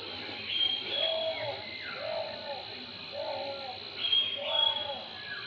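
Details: Juvenile grey hornbill soaked after a night-long rain, trying to dry itself out; soft, nasal, arched notes come in short bursts about every second, over a steady high-pitched whine of background insects.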